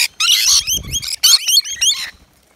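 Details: Rainbow lorikeet calls at a balcony feeder offering wet nectar mix; a few sharp, buzzy screeches with wavering pitch, a brief muffled flutter or scuffle in the middle, then silence at the end.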